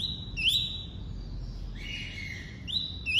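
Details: Tuí-tuí song of a double-collared seedeater: a steady high whistle, then a quick upswept note, a lower sustained tone in the middle, and a further rising note at the end.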